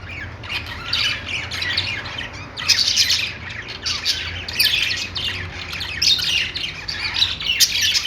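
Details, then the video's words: Several budgerigars kept in a pet store warble and chirp in overlapping waves, scratchy notes bunched into bursts about every second, with a low mechanical hum beneath. "budgies singing | budgie sounds | love birds sounds | parakeet chirping sounds in pet store"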